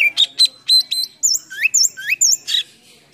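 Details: Oriental magpie-robin in a lure recording packed with fill-in phrases, tail spread while singing: short harsh chattering notes followed by sharp upslurred whistles, each repeated about every quarter second.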